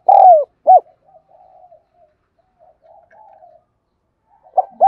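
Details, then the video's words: Spotted dove kept as a decoy bird, giving a calling coo: a loud, low, slightly falling coo and a short second note at the start, faint murmuring notes in between, then cooing resumes at the end. "Tiếng Chim Cu Gáy Thúc Gù Gáy Gọi"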